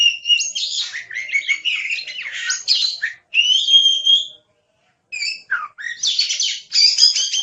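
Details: Oriental magpie-robin (kacer) song used as training material for songbirds, labelled gacor: rich, varied phrases of whistles, rapid chattering trills and buzzy notes, broken by short pauses, with a clear pure whistle mid-clip; no other sounds.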